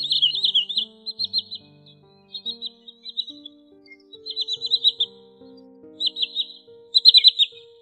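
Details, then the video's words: Common sandpiper, calls recorded in August 2020 as a lure for netting night-migrating birds: short bursts of high, quick-trilled piping notes, repeated irregularly, with sustained low musical tones stepping between pitches underneath. "Tiếng Choắt Bụng Trắng"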